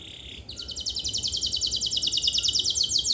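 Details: Canary 'gacor' song played to stir idle canaries to sing: a soft whistled note leads into a very fast, high, evenly rattling trill held for several seconds.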